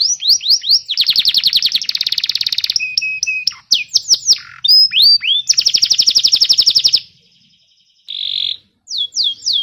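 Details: Canary song used as a training recording to teach young canaries and stimulate birds that have stopped singing: fast rolling trills, sweeping whistled slurs and a buzzy tone, broken by brief pauses.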